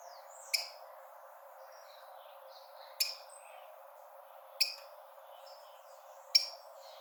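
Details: Rufous-collared sparrow (Zonotrichia capensis), a call for stimulating birds early in the breeding season; four brief, bright chip notes repeated every one and a half to two and a half seconds, soft chirps between them over background hiss.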